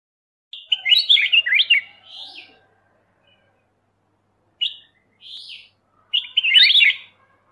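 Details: Black-crested bulbul singing in bursts of quick, warbling, slurred notes that rise and fall, one phrase near the start and another about six seconds in, separated by a quiet gap.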